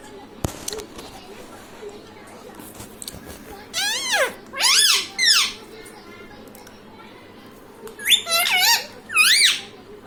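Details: Pet parrot mimicking human speech such as "mummy papa": after a sharp click and soft background noise, several clusters of high, wavering, word-like syllables come in two bursts.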